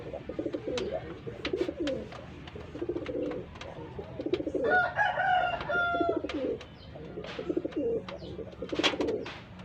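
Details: Pigeons placed together for breeding pairing coo steadily in low, bubbling rolls, while a rooster crows loudly midway and sharp clicks and knocks sound throughout.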